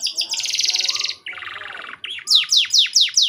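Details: Broken canary song to get young canaries singing quickly. A high buzzy trill gives way to a lower rattling trill, then a run of loud falling whistled notes repeated several times a second.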